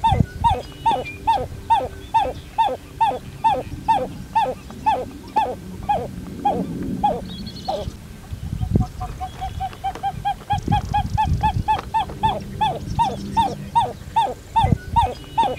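Pied-billed Grebe giving a long, loud series of hollow, downslurred 'cow' notes, about two to three per second, breaking into quicker, shorter notes midway, over low background rumble.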